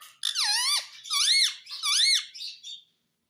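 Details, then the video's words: Talking pet parrot makes three loud, drawn-out, nasal whistled calls in a row, each curving up and down and lasting about half a second. Silence follows. "Talking Parrot"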